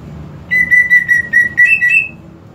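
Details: Greater green leafbird song offered as a lure to a leafbird that won't sing: about nine steady whistled notes at one pitch, ending in two higher, brighter notes.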